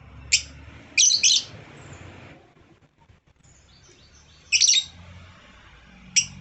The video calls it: African Love Bird Sound